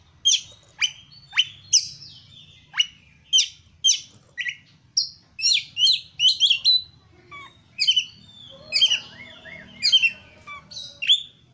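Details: Vigorous kacer (Oriental magpie-robin) song for provoking other kacer to sing: a long series of sharp downswept whistles and chips, later mixed with lower chattering notes and a steady faint hum.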